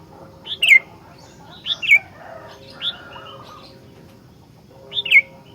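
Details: Chatty Sooty-headed bulbul singing with isian fill-ins, offered as a master recording for other bulbuls: clear whistled notes sliding sharply downward, given in pairs and singly with pauses of one to three seconds.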